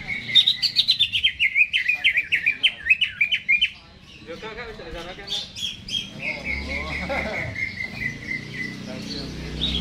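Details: Greater green leafbird, caged, singing before hanging. A quick string of chirping, descending trilled notes opens the passage. Scratchy chatter and softer whistles follow over low background noise.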